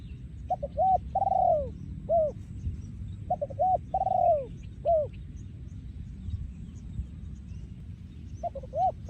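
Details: Spotted dove, breeding male, 2023, 'yon khu ang' style song repeated in phrases. Brief stuttering notes lead into a long, gently falling coo and a rising-falling final note, heard three times over low-frequency background noise.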